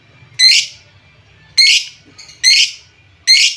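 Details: Lovebird calls used to stir up less active lovebirds: four harsh, shrill, buzzy squawks, each about a third of a second long, separated by short silences.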